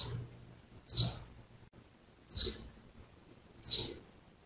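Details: Resident year-round house sparrow singing in Jeddah, Saudi Arabia, recorded 1441 AH: short, high, slightly harsh chirps, one roughly every one and a half seconds, against a faint low hum.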